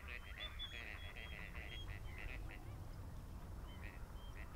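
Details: Common redshank at Marshside RSPB Reserve, Lancashire, on 24 April 2011, giving quick runs of high, piping notes for about two and a half seconds, then a few more after a pause, over a heavy low rumble of wind.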